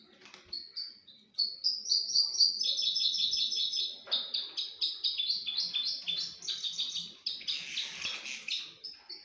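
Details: Crossbill kept as a pet bird, singing in a mating context: a fast run of bright, high chirps and short whistled notes, some trilled and buzzy, repeated about four times a second with little pause.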